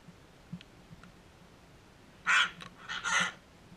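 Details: Backyard sulphur-crested cockatoos: after soft clicks, a loud harsh raspy screech bursts out, followed by two more grating, broken squawks in quick succession.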